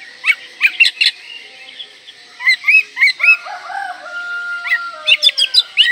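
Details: Oriental magpie-robin song rich in varied fill-in phrases, meant to stir breeding drive and provoke rivals: bursts of sharp, bright whistled notes and chirps, then a long steady pure tone held for about two seconds before more quick whistles.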